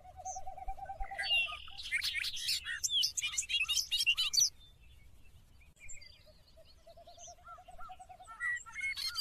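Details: Another bird repeats a low, steady note at the start. Then a Bobolink bursts into a two-second jumble of high, tinkling, metallic notes. Faint lower notes and scattered chirps follow.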